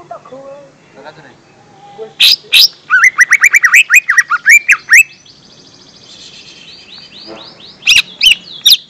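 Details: Lesser green leafbird lure song for young birds: a soft lower warble, then a rapid, loud cascade of sweeping whistled notes, a soft buzzy trill, and a few final sharp chirps.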